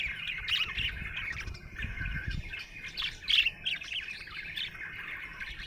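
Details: Happy budgerigar chirping: a dense, continuous chatter of warbled notes and quick chirps, with sharper clicks near the middle, over a low rumbling background.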